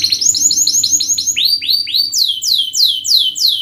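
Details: Singing canary in fast 'speed' style, played as a lure so young canaries learn quick rolling song: rhythmic downward-slurred whistled notes about four per second, jumping higher in pitch halfway through.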